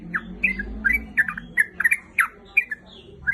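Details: Female sooty-headed bulbul calling to a male, uttering spaced, harsh slurred notes at an uneven pace, some doubled, with short gaps between them.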